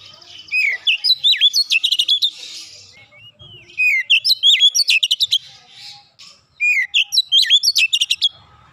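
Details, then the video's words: Three repeated bursts of Oriental magpie-robin 'nembak rapat' song, meant as therapy for untrained kacer: each opens with swooping whistles and ends in a rapid volley of sharp, clicking notes. "terapi Kacer bahan cepat gacor nembak rapat"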